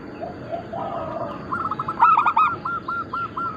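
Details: Local zebra doves of Bangkok cross type, for lure and training: soft distant coos build into a loud three-note burst, then a steady run of repeated coos.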